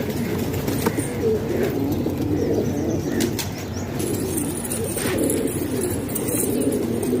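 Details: Housed hobby pigeons in Pakistan coo in a low, overlapping chorus. Wingbeats flutter and a few sharp taps break in now and then.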